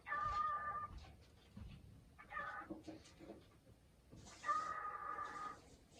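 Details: Caged male cockatiel at home, happy and chatting after house cleaning, possibly to cagemates next door; two long, steady, flat harmonic whistle-calls with softer scratchy murmurs between them, plus light household noise.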